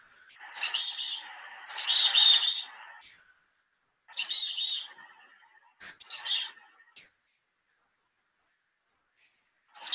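A Black-capped Chickadee gives a rapid chick-a-dee call four times: thin high opening notes, then a run of harsh, buzzy dee notes, with short pauses between.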